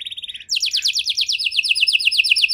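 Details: Canary song in the cengkok mewah style: a brief fast trill, then a long steady series of rapid, clear, down-slurred whistles, about ten per second, bright and ringing throughout.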